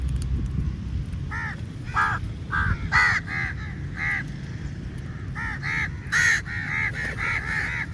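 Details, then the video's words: A very large flock of crows attacking food at feeding time: loud, harsh caws start after a quiet second, then come in uneven clusters of two or three, with a low hum beneath. "Very Large Number Of Crows Attack On The Food | Crow Feed Time | Crow Sounds Very Loudly"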